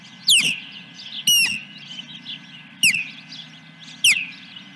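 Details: Osprey at the nest with a fish, morning of July 10, 2021: four loud, clear falling whistles, the second drawn out and flatter, over quiet high chittering.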